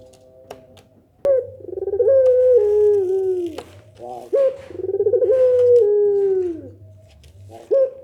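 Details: Barbary dove giving a pelung nangguk style coo that sets other doves answering: a sharp rising onset, a rolling pulsed stretch, then a long slowly falling held note, given twice, over a low steady background hum.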